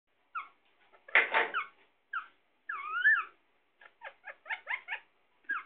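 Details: Pet parrot, Sindhi parrot, indoors: harsh squawks and a looping two-part whistled call, then a quick run of short clipped harmonic notes, with one broad raspy screech near the start.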